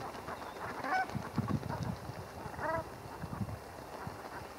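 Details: Two separate short, nasal, throaty notes stand out from Brent geese as they wash and brush up at Heybridge Basin, Essex. Quiet splashing and murmuring lie behind them.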